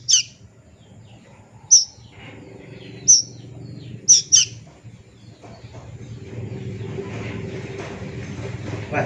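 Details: Young plaintive cuckoo, regarded locally as a mystical bird, uttering brief piercing high squeaks at irregular intervals, then a rising wash of broadband noise and low rumble.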